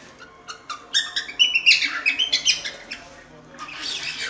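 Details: A cockatiel chatters in a rapid run of high chirpy notes, about four per second, trailing into a softer scratchy warble.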